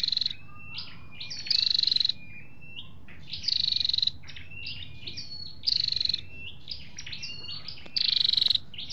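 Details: Lure recording of flowerpecker males and females for trapping or stirring a caged bird: a high rapid pulsed trill about every two seconds, with short thin whistles and slurred chips in between.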